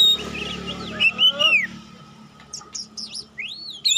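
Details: Oriental magpie-robin (kacer) lure song: soft twittering then loud sweeping whistles falling in pitch, followed by scattered upward-slurred notes and a final bright whistle; low hum throughout.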